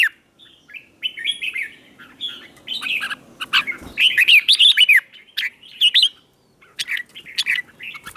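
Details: Red-whiskered bulbul morning song, used to train and stir newly caught wild birds into fierce singing contests; rich, rapid warbled and whistled phrases, bright and slurred, with sharp clicking ticks between bursts, nearly continuous.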